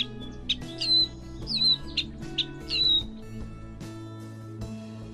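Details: Catbird song full of imitations of other birds, with clipped high whistles and slurred downward notes alternating in a jumbled sequence, soft music running beneath.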